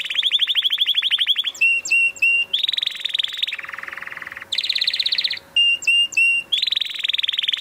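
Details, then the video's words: Canary in full song, a loud clean recording: fast pulsed trills at several pitches broken by sets of three sharp whistled notes, with a faint steady hum underneath. "اروع صوت كناري"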